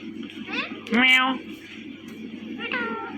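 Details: A pet Indian ringneck parrot, described as making mating sounds, gives three nasal, meow-like calls, the middle one loud and drawn out, the others brief falling whines, over a steady low hum.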